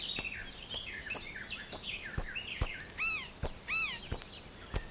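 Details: A marsh warbler in the water-meadows and coastal pastures of Matsalu, Estonia, in a 1979 field recording sings sharp high ticks about twice a second mixed with slurred whistles and nasal arched notes, fast and varied, over faint hiss.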